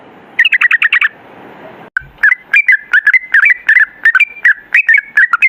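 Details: Sooty-headed bulbul 'ropel' training song: a quick fluttering burst of whistles, a hissy pause cut off by a short drop to silence, then a steady stream of separate slurred whistled notes.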